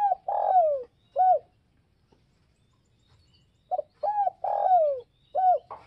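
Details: Provoking other doves, a spotted dove repeats its phrase twice: a long, sagging, breathy coo followed by a short bright note, then a pause and another full phrase.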